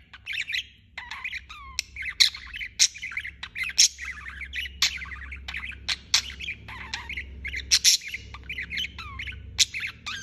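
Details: Budgerigar chirping non-stop: a dense stream of high, scratchy warbles, squawks and sharp clicks, with short whistled rising and falling notes, over a steady low hum.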